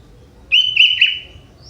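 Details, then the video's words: Sooty-headed bulbul, a young bird from the forest whose singing includes prinia-style phrases; a single brisk phrase of clear whistled notes with a few quick wavering inflections, fading off, with soft background rumble. "Burung Kutilang Muda Hutan ini, Isian Prenjak"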